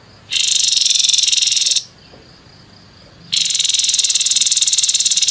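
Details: Grey-headed babbler giving harsh 'nembak kasar' song for tutoring contest songbirds: a loud grating rattle of fast, even pulses for about one and a half seconds, a pause, then another long rattle.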